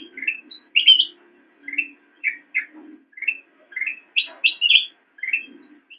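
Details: Black-crested bulbul used as a training model for cage songbirds, giving separated rising chirps interspersed with louder, higher clustered notes, phrases about half a second apart; soft low murmur in the background.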